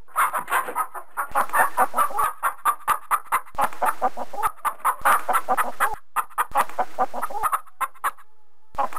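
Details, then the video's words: Chickens clucking loudly and continuously, a dense run of short rhythmic clucks with a few brief gaps and a faint high tone behind. "Sound of Chickens Clucking"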